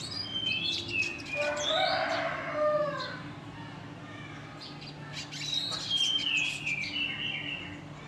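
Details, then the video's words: Klasik ngeriwik kasar singing from a red siskin: a rapid twitter that drops into a lower buzzy warble, then resumes with high slurred chirps after a brief pause over a steady low background hum. "Red Siskin Klasik Ngeriwik Kasar"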